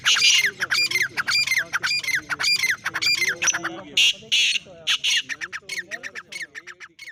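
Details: Black francolin (kala teetar) call, used to draw francolins in quickly and excite them: harsh, grating calls repeated in quick bursts about every half second, shifting at the end into faster, shorter clipped notes.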